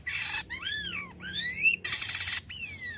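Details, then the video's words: Caged Javan pied starling alternates noisy buzzing rattles with clear arched and descending whistled notes, loud and emphatic. "jalak kapas gacor ampuhh merangsang burung jalak anda"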